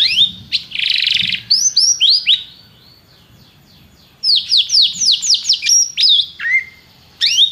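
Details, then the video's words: Canary delivering separate bursts of song: a buzzy trill, a series of upswept whistles, a pause, then more rapid sweeping notes and a lower descending phrase. "Seu canário cantou imediatamente depois de ouvir este canário"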